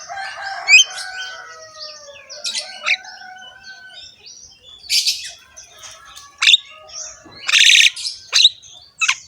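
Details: Javan myna (jalak kebo), a lively rough-voiced singer said to bob its head while singing, in a training recording meant to prompt other mynas to sing: varied chattering song with whistled slurs, harsh rasping bursts and sharp high squeaks.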